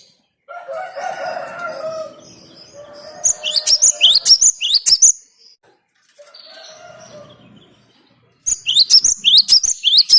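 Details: A cinereous tit, its song used to lure birds, sings two bouts of quick, repeated upward-sweeping whistles, with lower murmuring chirps and hum between and before the bouts.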